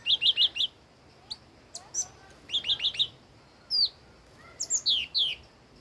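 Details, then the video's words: Old wild red-whiskered bulbul singing: quick runs of four bright whistled notes, short downslurred whistles and scattered high chips, separated by pauses, over soft background hiss. "Chim chi chi mào mồi già rừng hót tuyệt đỉnh"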